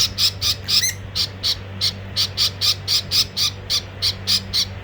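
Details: A budgerigar gives harsh, scratchy squawks, about four each second, over a low steady hum, as a female budgie hits a male.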